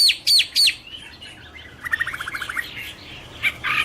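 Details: Chinese hwamei (Garrulax canorus) song: three sharp descending whistles at the start, then a quieter rapid chatter of short notes and a few thin whistles near the end.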